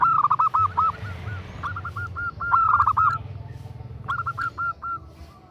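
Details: A female zebra dove repeatedly calls to a male with several bursts of short, rhythmic cooing notes. Each burst holds four to six notes, with softer echo-like notes between the bursts.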